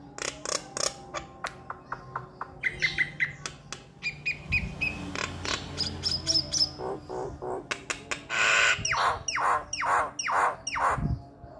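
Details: A male Nias hill myna, used as a lure or tutor, sings loudly in rapid bursts, mixing sharp clicks, clear whistles and harsh squawks, about two notes a second.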